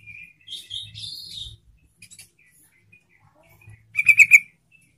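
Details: Yellow-vented bulbul song meant to set other bulbuls singing: a few short liquid warbled phrases, quiet gaps, then a loud fast burst of four bright bubbling notes near the end.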